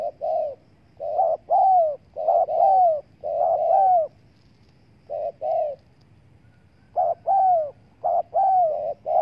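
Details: Lure spotted dove calling to draw in wild doves: mellow, hollow coos in clusters of two or three, each ending in a drawn-out falling note, with pauses of a second or more between groups.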